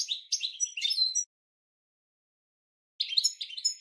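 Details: Twittering European goldfinch training song for cage birds: a one-second phrase of tinkling notes and a clear whistle, a pause of nearly two seconds, then a second chattering phrase.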